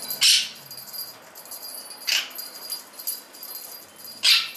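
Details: A pet male blue Quaker parrot (monk parakeet), playing excitedly with his favourite bell toy in a daily morning routine, gives three harsh, grating screeches spaced about two seconds apart.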